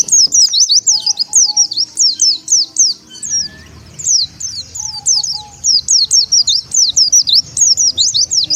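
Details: Oriental white-eye call meant to attract wild birds of its kind: rapid, very high, thin zigzag chirps in long rolling series, broken by a short pause midway, with a faint low hum behind.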